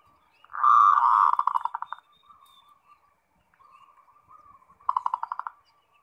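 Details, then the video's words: Zebra dove giving 'ngerot' song to provoke other doves into answering: a long, loud rolling coo that breaks into rapid pulsed notes, a quiet murmuring stretch, then another short trilled burst. "Suara Perkutut NGEROT Bikin Birahi & Emosi"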